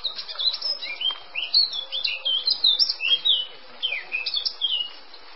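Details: Male Eurasian blackcap singing a rich, fast warble of varied whistled and fluting notes, phrases running almost without pause for over five seconds, some notes sweeping up or down, with no other clear sounds.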